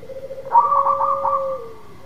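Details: Zebra dove (local perkutut) singing actively to coax a silent dove into song. A low sustained coo bursts into a loud, pulsing, burbling phrase, then the low tone drifts downward and fades. A constant faint electrical hum lies beneath.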